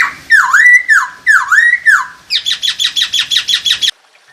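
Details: Masked laughingthrush, kept as a songbird, in a recording meant to raise breeding drive. Two loud looping whistles dip and rise, then a rapid run of about ten harsh chattering notes at a steady beat, ending abruptly.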